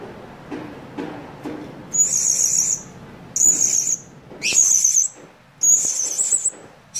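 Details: Blue-crowned hanging parrot (serindit) used as a trapping lure, calling to bring other birds close, not to fight. Faint ticks open, then four piercing, buzzy trilled bursts, each roughly half a second long, with short gaps.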